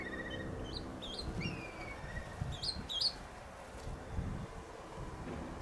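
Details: Overwintering swallows flying circles around a house on a sunny, warm January 23, 2019 daytime: short, bright twittering chirps in a few bursts over a steady low rumble.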